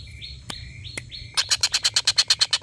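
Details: Collared kingfisher laughing call used to tutor competition birds. Soft rising whistles and two sharp clicks come first, then a loud series of harsh kek notes begins, repeating about three times a second.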